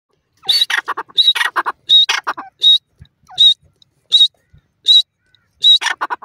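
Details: Grey francolin calling: loud, harsh, high bursts, each opening with a sharp whistled note and followed by rapid rasping syllables, repeated roughly every three-quarters of a second in a steady rhythm with short silences between.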